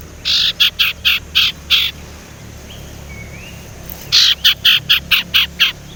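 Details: Young male Sumatran leafbird, still raw, learning to whistle; used as a lure to get other leafbirds singing. Two bursts of harsh, buzzy chattering notes, five then seven in quick succession, separated by a quiet pause.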